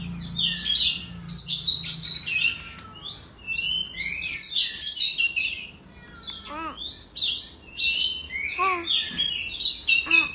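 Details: Oriental magpie-robin (kacer), one of a collection of kept songbirds, in dense, varied high song of rapid whistles, chirps and buzzy trills, with repeated descending chevron notes and short pauses.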